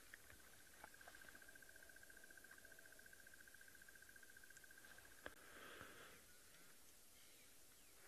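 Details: A distant Crested barbet gives a sharp, even, drilling trill for about five seconds at sunrise on 11 September 2022, then a click and soft rustling over a low background rumble.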